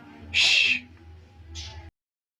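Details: White-rumped shama of the pastol type learning canary-style bursts: a loud, dense, bright chirping burst lasting about half a second, then a softer, shorter burst, over low background hum.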